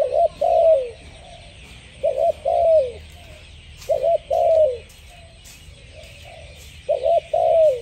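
Spotted dove giving low, soft coos: a quick double note and then a longer falling coo, repeated about every two seconds. A faint hiss sounds in the background.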